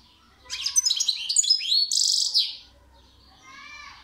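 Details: Twittering goldfinch song, a quick run of bright, liquid high notes that swells into a dense buzzy rattle, followed by softer, thin trailing notes in a quiet indoor-sounding space.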